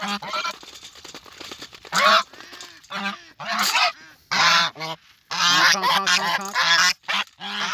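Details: Domestic geese come up honking loudly on Tuesday 20 September 2022 around 8 AM beside a shallow, muddy, manure-smelling pond: harsh nasal bursts, several overlapping at an irregular pace, with softer calls between the loud blasts.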